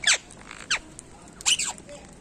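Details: Ringneck parrot uttering sharp, descending screechy squawks, three bursts in about two seconds, the last a double note, over a quiet background.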